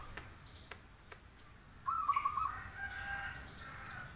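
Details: Zebra dove song used to lure other doves into answering, from a local or crossbred bird: one short burst of rapid clipped cooing notes midway through, followed by faint, softer tones over steady background hiss.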